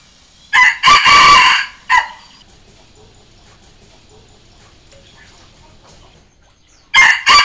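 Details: Challenge crow of a trained decoy Red junglefowl, used to call wild junglefowl. It gives a quick first note, a sustained rasping middle and a brief tail note, then near silence, then the start of the next crow.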